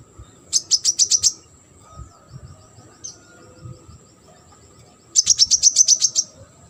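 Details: Brown-throated sunbird, a tutoring recording for competition birds. Two rapid runs of about eight high, evenly spaced chirps, each lasting about a second, with a single soft note between them and low background noise.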